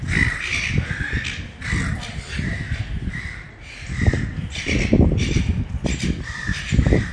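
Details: Juvenile Silver Gull in the Bridge Mall, Ballarat, Victoria, Australia, gives repeated short nasal squeals about once a second over a loud background of low thumping, footsteps and city noise.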